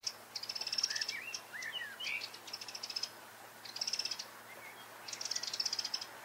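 A Eurasian wren sings in bursts of fast, high, rattling trills. Between the bursts come a few lower whistled notes, likely from another bird.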